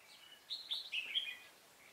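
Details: Brief burst of red-whiskered bulbul song at a trapping session on 16 November 2017: a quick, jaunty, slurred whistled phrase, clear and loud against faint background noise.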